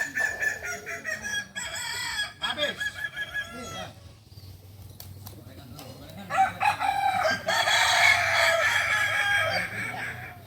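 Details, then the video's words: Practice crowing match of kukuak balenggek chickens in Panyakalan, Solok; choppy repeated crow phrases, a quieter middle with background murmur, then another loud round of overlapping crowing. "Latberan ayam kukuak balenggek di panyakalan solok"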